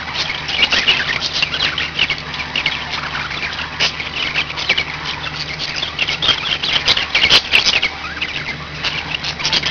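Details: Several pet budgerigars chatter without pause, with scratchy squawks, chirps and warbled phrases overlapping and a few sharp clicks, all over a steady low hum.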